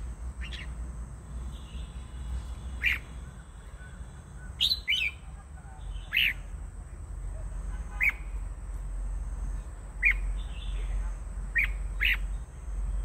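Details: Red-whiskered bulbul singing: short, bright, slurred chirps and whistled notes given every one to two seconds, separated by pauses, over a steady low hum and a faint high electronic whine.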